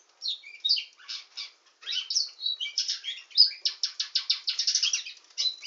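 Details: Canary called a nightingale singing canary begins with scattered chirps and a short whistle, building into a loud, quickening series of sharp repeated pulses.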